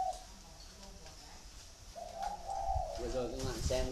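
Soft, hollow cooing from a spotted dove: a brief note at the start, then a longer run of mellow hoots in the second half. A man's voice is heard faintly.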